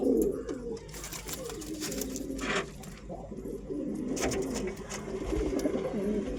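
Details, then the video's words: Low, soft pigeon coos rise and fall through a run of gurgling phrases, broken by occasional sharp clicks and rustling, possibly wing or feet noise. "Real pigeon sound"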